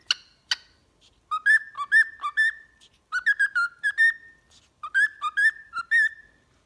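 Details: Song meant to train a pet cockatiel to sing: two sharp chirps, then three phrases of bouncing whistled notes, each about a second long, separated by short silences.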